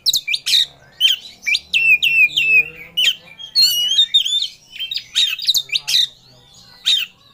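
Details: Oriental magpie-robin in emotional song aimed at a rival, delivering rapid, strongly modulated whistles and down-slurred notes in a steady stream of short bursts, with clicking sounds mixed in.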